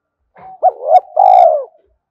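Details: Spotted dove calling as a lure to provoke males, a 'thúc gù' style coo: a soft lead-in, a quick rising coo, then a drawn-out falling coo, with a few sharp clicks over it.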